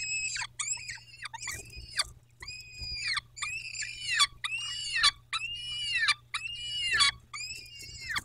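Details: Loud, insistent series of peregrine falcon wails at the Dobra nest, 14-05-21 at 14.18, roughly ten harsh harmonic cries in eight seconds, each arching and dropping at its end, repeated almost without pause.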